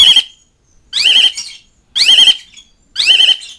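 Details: Asian pied starling calls meant for mates and rivals, four loud grating, buzzy phrases about one second apart, each with a rasping tail.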